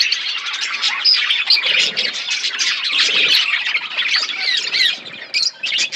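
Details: Flock of budgerigars kept as pets chirping while eating food: dense, continuous warbling chatter of many overlapping high chirps and squawks with no pauses.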